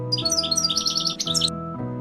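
A hummingbird gives rapid, thin, high chirps in quick bursts, with steady background music playing throughout.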